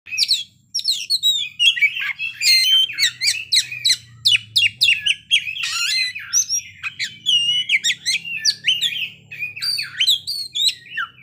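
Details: Oriental magpie-robin in full song, reeling off its fill-in repertoire: a dense stream of sharp downslurred chips, buzzy rattles and whistled notes, almost without pause, with a faint low hum beneath.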